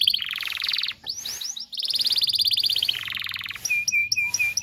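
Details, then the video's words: Canary singing as a tutor recording for young canaries: long rapid rolling trills broken by a few upswept notes, ending with short repeated whistled chips. "PANCINGAN KENARI GACOR DURASI DURASI PANJANG UNTUK MASTERAN KENARI PAUD BELAJAR BUNYI DAN GACOR"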